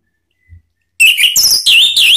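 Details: An orange-headed thrush, used as a lure and therapy sound to make other thrushes answer, gives a loud, rich phrase of high, warbled, fluty notes with rapid slurs and trills after a second of near silence.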